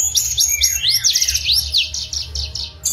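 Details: Mangrove blue flycatcher singing lively in the wild: a rapid string of high, thin slurred notes, some rising and some falling, run together over a low steady hum.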